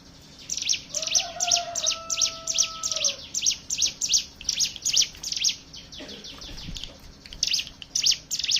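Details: Hill prinia singing continuously in the ngebren style, recorded to lure other birds into song: long run of sharp high chips about three per second, with a steady low drawn tone early and a soft thud near the end.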